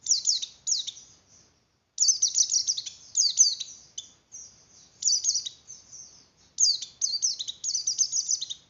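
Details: Javan grey-throated white-eye breeding-condition song, for stimulating breeding in other white-eyes: clusters of quick, shrill falling notes in bursts of one to two seconds, separated by clear gaps, against silence.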